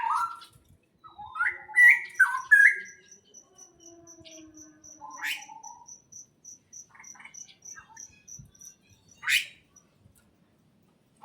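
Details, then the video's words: Greenhouse birds give a burst of bright, stepped chirps at the start, then a few scattered sharp calls, while a steady high ticking runs through the middle of the recording. "the chirping sound of birds"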